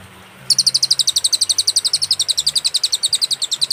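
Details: Cililin master song for training songbirds, clear and with pauses: after a brief quiet start, a fast unbroken train of sharp high-pitched chips begins, repeated evenly several times a second.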